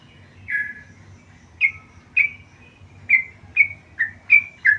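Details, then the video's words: Tame yellow-vented bulbul giving spaced, clear slurred notes, about eight in under five seconds, some dropping in pitch, others with a sharp upward flick; quiet low hum in the background. "burung trucukan gacor jinak"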